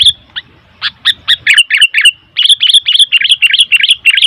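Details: Rapid, excited chatter from a noisy sooty-headed bulbul, with bubbly looping notes tumbling out several per second in a near-continuous run.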